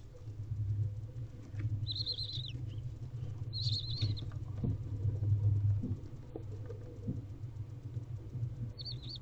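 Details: Barn owl in a nest box at 5:21 am on 4 April 2023, hours after the female's first owlet hatched, gives three brief, high, wavering twittering calls spaced a few seconds apart, over a steady low rumble and soft shuffling.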